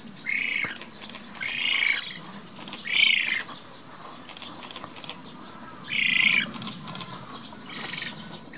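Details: Black-faced spoonbill (Platalea minor) chicks being raised at Tama Zoo on 22 June 2017 give harsh, wheezy begging squawks in bursts of about a second, repeated every couple of seconds over a low background murmur.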